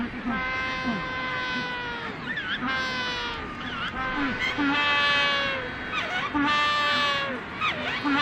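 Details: Penguins giving long, steady harmonic calls that end in brief upward and downward sweeps, repeated several times over about eight seconds, with other birds calling underneath and constant background noise.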